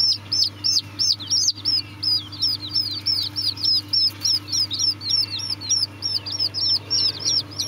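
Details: Continuous high-pitched cheeping from Serama chicks: short rising-then-falling peeps repeated about three times a second, loud and even, with a faint steady electrical hum beneath.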